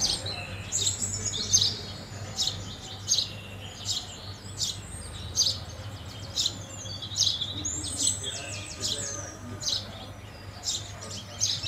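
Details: Long series of clipped house sparrow chirps, about one to two a second, fairly regular, with a brief burst of rapid notes near the end and a low hum under it.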